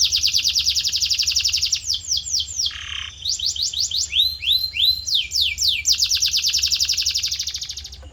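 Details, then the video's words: Training song of a canary for tutoring other canaries: long rapid high trill, a short low rasping note, bouncing rising whistles, then another sustained fast trill fading at the end. "Special Audio to Shape Your Canary's Voice Character"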